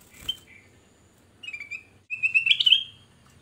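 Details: Black-crested bulbul song meant as a lure for other birds: short clear whistled notes, then a longer rising, warbling whistled phrase, over a steady low hum and background noise.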